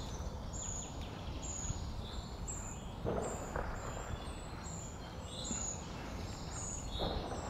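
Short-toed Treecreeper chicks give very high, thin, hissing begging notes, repeated every half second or so over a low, steady background rumble.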